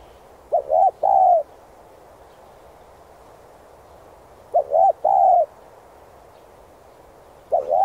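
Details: Spotted dove song used to stimulate and train decoy birds. Two full phrases of two quick soft notes and then a drawn-out steady coo, about four seconds apart, and a third phrase begins at the end.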